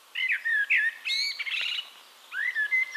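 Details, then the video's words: Eurasian blackbird from Castricum in the Netherlands singing: mellow, slurred whistles, a short scratchy, twittering burst in the middle, a quiet gap, then another clear downslurred fluted phrase. "One Hour Relaxing Birdsong: Blackbird"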